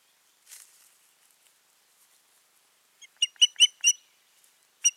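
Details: Osprey at the nest with its mate, June 2019: a faint rustle early on, then after near silence a clear burst of four or five thin, whistled yelps and one final note.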